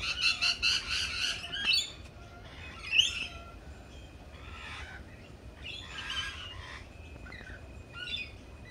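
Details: A group of lorikeets chattering at a cafe: a loud run of rapid shrill screeches at the start, then scattered shorter squawks and chirps over steady low noise.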